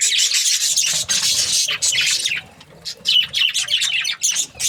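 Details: Budgies chirping: dense, rapid chattering warbles and scratchy chirps pour out almost nonstop, dip briefly into a quieter pause midway, then return in short overlapping bursts.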